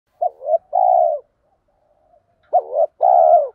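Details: Spotted dove used as a decoy, in the urging 'thúc gù' style meant to stimulate other doves to call; two phrases, each a short stuttering double note followed by a longer, mellow, falling coo, separated by silence.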